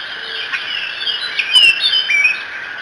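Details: Bald eagles at the Decorah nest on a morning, 1 June 2017: a few thin, high whistled notes slurring up and down over a steady background hiss.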